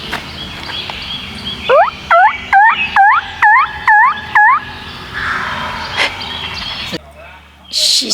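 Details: A wild turkey calls close to a campsite at Cades Cove, Great Smoky Mountains National Park, giving a quick run of about eight sharp, upslurred notes, one every half second or so, then a soft rushing noise and a couple of knocks.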